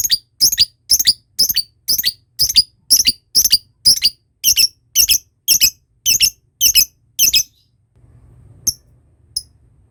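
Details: Lovebird giving repeated high, squeaky chirps as a ngekek training lure, about two per second for seven seconds, each note a quick double pulse, then quiet with one last faint chip.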